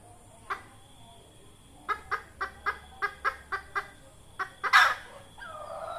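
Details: Red junglefowl hen calling, a lure sound for junglefowl trapping: a lone cluck, then a run of eight evenly spaced short clucks, two more, and a loud harsh squawk near the end, over quiet background hiss.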